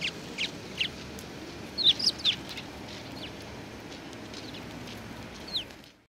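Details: Sparrows assembled at food at a Tenmangu shrine, 19 April 2019; a cluster of sharp chirps near the two-second mark, then sparser single chirps, fading out at the end.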